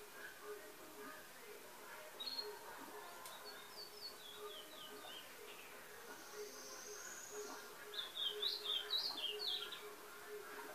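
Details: Wild chestnut-backed tanager recorded on a Sunday morning, 25 August 2019. Thin, high, short chipping notes come in small clusters, one burst early on and a denser run near the end. A faint steady hum and soft background noise run throughout.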